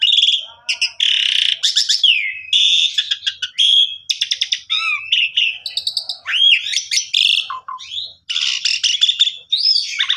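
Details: Long, varied Asian pied starling song intended to get a silent bird singing: broad buzzy blocks, rapid clicking series, looping whistled slurs and downward notes, almost continuous throughout.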